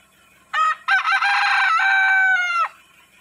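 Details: A rooster crows in the morning, a loud, harsh cock-a-doodle-doo that holds steady and then drops off sharply.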